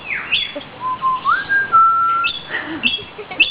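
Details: A common hill myna, a talking pet bird that can whistle, gives a clear whistled phrase rising in a step to a long held note. Short high chirps and clicks recur around it.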